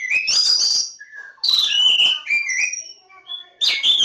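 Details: Oriental magpie-robin (Kacer Jawa) pouring out rich whistled phrases: a rising buzzy opening, then clear, drawn-out high whistles and lower fluty notes, ending with another loud chirpy burst.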